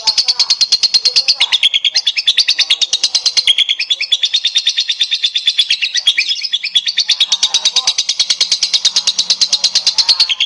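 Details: Lovebird chatter meant to prompt other lovebirds into long singing; continuous shrill, fast-repeated high squeaky notes forming a dense unbroken trill throughout, with faint lower murmurs in places.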